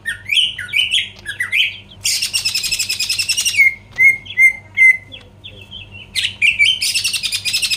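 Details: Greater green leafbird in full, energetic song, played to provoke rival birds into singing. Varied outpouring: slurred whistled notes, then dense buzzy chattering bursts, a run of clear sharp whistles, and a renewed harsh chatter, over a faint low hum.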